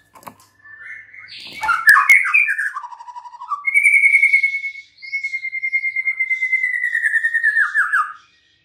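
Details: White-rumped shama singing a varied phrase: jumbled chattering notes, a lower warble, then a long, steady, clear whistle that ends in a rapid descending trill.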